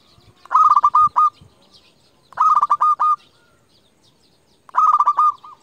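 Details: Local zebra dove used as a lure to call rival doves sings three loud, overdriven cooing phrases, each a quick run of about five to six notes ending in a longer coo, roughly every two seconds.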